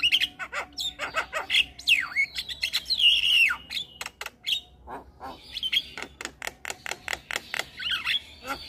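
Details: Javan myna singing energetically to provoke other mynas: downward-swooping whistles and harsh squeaky notes at first, then a long run of quick dry clicks and chacks, ending with more bent whistles.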